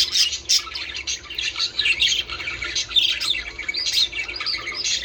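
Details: Budgerigars chattering to stimulate breeding: dense, continuous warbling twitter of rapid chirps and squawky notes, several birds overlapping, high-pitched throughout.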